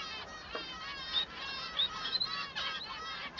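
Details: Male Society Finch song: drawn-out nasal notes broken by brief sharp accents and a few thin whistled slurs, repeated over about three seconds against faint bird chatter.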